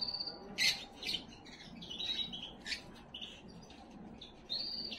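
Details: Canary song used to excite hens: clear whistled tone, then sharp clicking notes and buzzy trills, ending on another sustained whistle, somewhat quieter recording.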